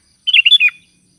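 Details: Single lively phrase from a sooty-headed bulbul calling to companions: a quick run of bright, bubbling whistled notes that finishes with a downward slur.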